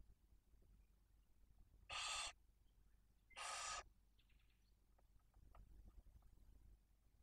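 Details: Barn owl feeding at the nest in Cabañeros National Park, with two newly hatched chicks one and four days old. Two loud, rough hisses about a second and a half apart, then faint high squeaks and light rustling.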